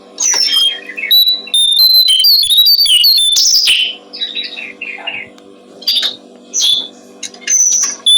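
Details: High jumbled twittering and whistled notes from a Brown-streaked flycatcher, a recording meant for training songbirds. A long loud opening phrase gives way to short separated bursts of chirps, with a steady low hum throughout.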